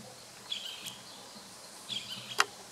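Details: Boat-billed flycatcher (Megarynchus pitangua) gives two brief, buzzy high notes about a second and a half apart, then a sharp click, over a quiet background hiss.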